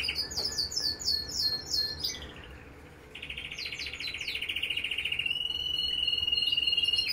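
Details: Red mosaic and red agate mosaic canaries singing: a run of quick high chirped notes, then a long fast buzzy trill, then a sustained rolling high tour.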